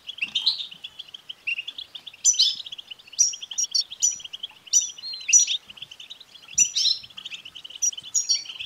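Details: European goldfinch song in the btbta style, meant to make a male goldfinch sing. Steady bubbling twitter broken by bright, descending, buzzy phrases roughly once a second, with a clean, quiet background.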